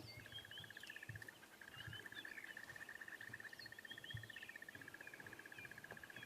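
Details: At sunrise on 2 June 2016 in Sabi Sand, during a subtle dawn chorus, a crested barbet gives a long, even, rapid trill at a steady mid pitch, like a ringing alarm clock, while other birds chirp faintly behind.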